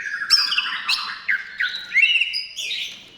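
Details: Short burst of loud white-rumped shama song, played to get shamas singing, with high whistled notes and quick downward-sweeping slurs delivered in rapid succession.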